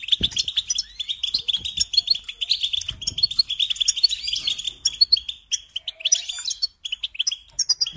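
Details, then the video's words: European goldfinch pouring out fast chattering song, with tinkling, metallic twitters and rolling trills running densely through eight seconds, with a few faint clicks. "Supporting and Singing Along with Goldfinches"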